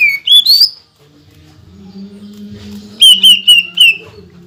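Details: Greater green leafbird in full song, meant to provoke other leafbirds: bright rising and falling whistles open the phrase, a low hum fills a quiet middle, then four quick slurred whistles close it.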